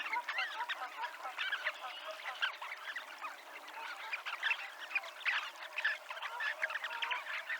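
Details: Chorus of Dunlin calls on the promenade shore at Abruñeiras in Noia: many birds chattering at once in a steady, fairly soft wash of short trilled notes.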